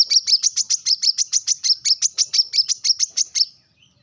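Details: Brown-throated sunbird, known locally as kolibri kelapa, giving a sharp call to challenge rivals: a rapid, evenly spaced run of about seventeen piercing high notes over three and a half seconds, then silence.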